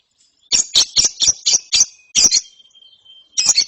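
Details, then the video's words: ['Ngeriwik from a lovebird chick after therapy: a rapid run of about eight harsh high chirps, roughly four per second. A thin faint whistle-like tone follows, then a final doubled burst.'] "ANAKAN LOVEBIRD NGERIWIK SETELAH DITERAPI"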